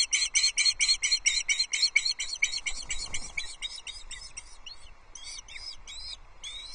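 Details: Osprey nest at Loch Arkaig, 22 June 2024, during a fish handover to chicks: rapid whistled chirps at first, slowing and breaking into scattered, uneven notes, with faint low rumble beneath.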